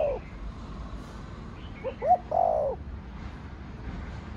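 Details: Spotted dove cooing in the 'thổ đồng' style: the end of one coo, then after a pause a faint stutter, a sharp note and a long descending coo, with light background twittering.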